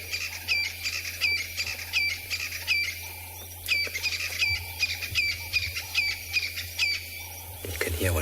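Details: A crested francolin at sunset in Tswalu Kalahari Reserve, South Africa, on 21 August after rainfall, calls in quick, rattling bursts of high, upswept notes, about a phrase a second, over a low hum. The calls are possibly part of a covey duet.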